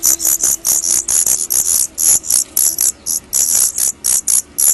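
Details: Baby Daurian redstarts leaving the nest for the first time make a rapid, continuous stream of shrill, high squeaks, several each second, pulsing steadily for nearly five seconds.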